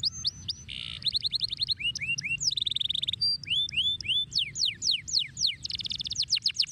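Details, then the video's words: Canary pouring out a dense, continuous song of rising whistles, buzzy rattles and rapid slurred notes, switching between trill types every second without pause. "أي كناري يجب أن يسمع صوت هذا الكناري"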